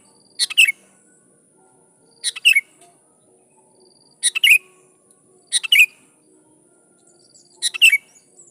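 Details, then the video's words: Singing sooty-headed bulbul calling out to rivals, answered by wild bulbuls: five rough, chattering phrases, each a quick cluster of harsh chirps dropping to a lower whistle, spaced roughly every one and a half to two seconds. "Suara Burung Kutilang Gacor Memanggil Lawan || Kutilang liar nyaut dan GACOR"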